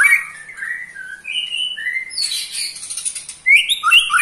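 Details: An eight-month-old white-rumped shama sings a ketrekan trill that provokes rival shamas. Short falling and level whistled phrases lead into a harsh, buzzy rattle, then bright rising whistles and quick chattering notes.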